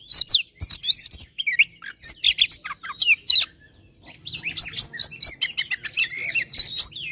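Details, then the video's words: Oriental magpie-robin singing in the 'gacor tarung konslet' fighting style, used to provoke rivals; rapid bursts of sharp high chirps and downslurred whistles, a pause near the middle, then a dense run of repeated notes. "SUARA BURUNG KACER GACOR TARUNG KONSLET PALING AMPUH UNTUK PANCINGAN KACER AGAR CEPAT EMOSI"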